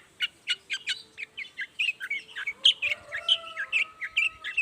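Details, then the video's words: Morning lure song of a Long-tailed shrike, meant to set quiet shrikes singing in reply: evenly spaced sharp chips open a quickening, varied chatter of squeaky, slurred high notes, with a steady faint tone running underneath. "toet toet Suara cendet gacor Pagi Hari pancingan jitu BIKIN cendet diam langsung nyaut ikutan bunyi"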